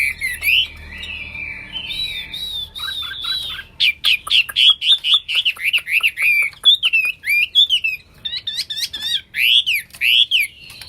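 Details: Hwamei (Wambi), singing actively: a loud, rich run of varied whistled phrases that slur up and down, first drawn-out warbles, then quick, bright notes repeated in rapid bursts with short gaps.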